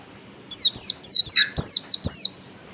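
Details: Wild-style 'ngalas' song of an oriental white-eye used as a lure, a single tight run of seven sharp, high, falling whistled notes delivered in quick succession.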